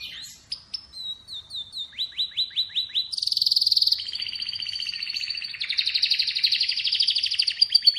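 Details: Atlantic canary song that opens with spaced falling whistles and a series of evenly repeated upslurred notes. It moves into dense buzzy rolls and ends with fast rolling trills.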